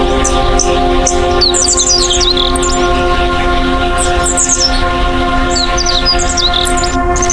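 Superb Fairywren: rapid, very high reeling trills in quick repeated bursts, with a steady droning music bed underneath.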